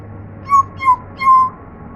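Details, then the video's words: African grey parrot kept as a pet, trying to talk: three quick, clear whistled notes in a short run, the last one held slightly longer, with a faint low hum behind. "African Grey Parrot Talking"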